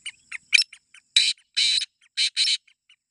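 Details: A grey francolin in a calling contest gives loud, harsh, high-pitched notes: short clipped syllables, then longer grating bursts in quick pairs over about three seconds.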